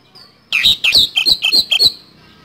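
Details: Oriental magpie-robin (kacer) giving a 'nembak speed roll' phrase: six rapid, harsh notes in about one and a half seconds, each ending in a higher squeaky tone, with faint background hiss.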